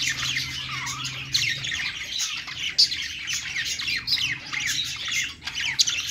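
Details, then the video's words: Perched budgies sing a dense, chattering warble of rising and falling squeaks and gritty squawks; a steady low hum in the first second and a half fades out. "budgies singing on perch"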